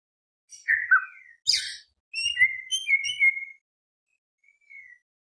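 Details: Greater green leafbird in a lure song meant to provoke other birds: a few loud slurred whistles and a harsh burst, then a quick chattering phrase and one soft falling whistle after a pause.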